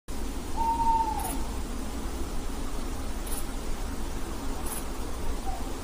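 An owl gives one clear whistled hoot that falls slightly at the end. A fainter, lower note follows about four seconds later, over a steady low rumble.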